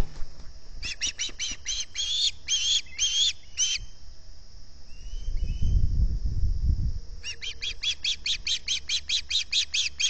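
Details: Osprey pair at a nest with camera and microphone at Salt Point, early morning of August 11, 2020, calling from hunger. Bursts of rapid, repeated high chirps in two series separated by a low rumbling gap, with wing or nest noise in the middle.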